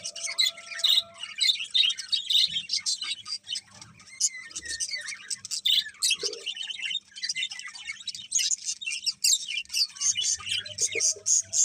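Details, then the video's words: A long stretch of birds chirping in the morning: busy, overlapping high tweets and trills with fluttering bursts and short lulls, plus a faint steady low hum. "Cute Birds Chirping Sounds In The Morning"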